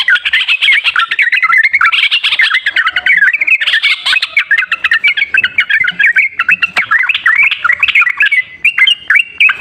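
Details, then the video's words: Sooty-headed bulbul singing, offered as a lure for a bird that is slow to sing. Dense, overlapping chatter of bubbly twisting notes fills nearly ten seconds without a pause, slightly thinner toward the end. "TERAPI BURUNG TRUCUKAN MALAS BUNYI//ISIAN PANCINGAN TRUCUKAN YANG MALAS BUNYI"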